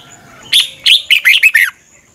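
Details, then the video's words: Red-whiskered bulbul in fired-up morning song for training: one quick phrase of six loud, bright chirped notes inside about a second. "luyện chào mào hót sáng. Hót hay nhanh căng lửa. Kích chào mào ché. Cách luyện chào mào hót căng lửa"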